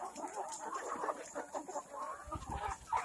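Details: Black Kadaknath chickens on an organic farm in Cuttack, Odisha, India, a flock giving dense overlapping clucks and short mid-pitched calls with no pause, the chatter rising slightly toward the end.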